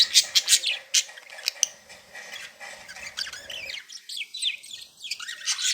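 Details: Budgies happy and playing: a few loud sharp chirps, then softer twittering that builds into rapid scratchy warbled notes.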